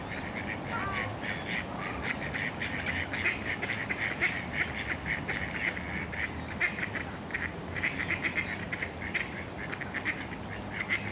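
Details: Ducks calling at a pond in a city park on a breezy day, with geese and moorhens nearby: steady rough nasal quacks repeated in uneven clusters through the whole stretch, against constant rushing wind noise.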